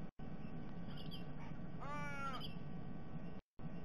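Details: A single harsh, nasal raven croak, about half a second and rich in harmonics, over low wind rumble at a sea eagle's nest where three ravens came in the early morning and ate the eggs.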